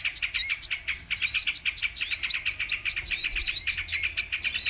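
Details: Brown-throated sunbird song from a trapping lure recording: energetic high twittering in packed phrases, with sharp chips and thin arched whistles repeating throughout.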